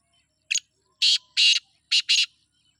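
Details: Sindhi black francolin calling: a short harsh note, then two longer grating buzzy bursts, a pause, and two more rasping bursts in quick succession, all clear against a quiet background.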